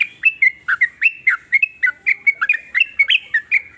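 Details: Steady chain of short, clear chirping notes from a sooty-headed bulbul, about five a second, each note bending down or up in a bouncy, regular rhythm.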